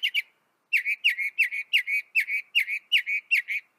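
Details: Northern mockingbird from North America repeating one slurred, downward-dipping chirp about three times per second, after a brief double note and a pause.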